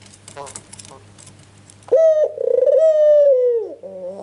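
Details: Ringneck dove, white form, calling as a lure to draw answering birds: after a few soft nasal notes comes one long, steady, purring coo with a rolling tremor, sagging slightly in pitch at the end, indoors.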